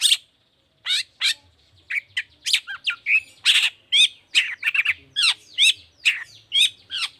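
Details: Long-tailed shrike in lively 'toet toet' style song, used to prompt other shrikes to sing: a rapid run of harsh, buzzy notes and sharp whistled chirps mixed with squawky bursts, about two or three per second after a brief opening pause.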